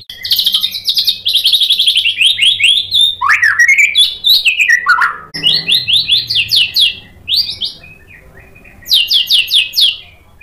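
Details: White-rumped shama song used to trigger replies from other shamas: long runs of high rapid chattering notes, a few deep swooping whistles, then pauses and further high bursts over a soft low hum.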